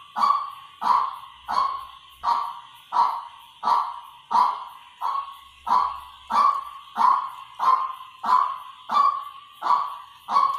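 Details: White-breasted waterhen decoy sound: a long, unbroken series of about fifteen rough, nasal notes, each dropping and fading, evenly repeated roughly every 0.7 seconds, with brief faint low thumps.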